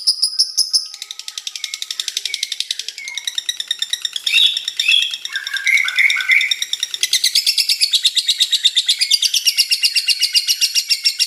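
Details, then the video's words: Lovebird chatter, high rapid chirping, with lower whistled phrases sliding around the middle before the fast scratchy pulses return; faint music-like tones at the start. "LOVEBIRD NGEKEK PANJANG HAMPIR 4 MENIT"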